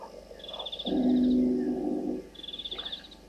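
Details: Blacksmith Lapwing at night, 01:08 on 6 July 2023, at Gowrie dam waterhole, Djuma Game Reserve, Sabi Sand, South Africa: two bursts of rapid, high, metallic clinking notes, partly drowned by a loud, low droning hum.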